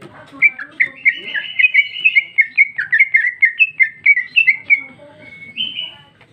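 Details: Rich continuous warbling from a female greater green leafbird in ngeplong style, dense overlapping whistled phrases rising and falling in quick succession, fading to a single drawn-out note at the end.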